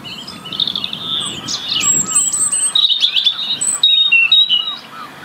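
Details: Song of a European robin, a UK bird that sings year-round to maintain its winter territory: varied high warbling phrases, thin whistles and trills with quick changes in pitch, over a soft low background murmur.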